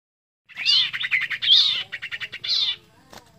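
A sirtu bird gives a loud, rich burst of rapid chattering notes, high and full, with a quick run of clipped pulses, all in under three seconds.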